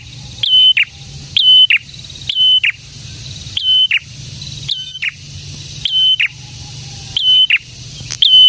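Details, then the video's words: Energetic prinia used as a decoy for trapping and rousing silent prinias; rapid series of about nine phrases, a clipped rising note, sustained shrill whistle and scratchy downward tail, roughly once a second. "BURUNG PRENJAK GACOR INI AMPUH UNTUK MIKAT PRENJAK DAN PANCINGAN PRENJAK BISU AGAR CEPAT BUNYI‼️"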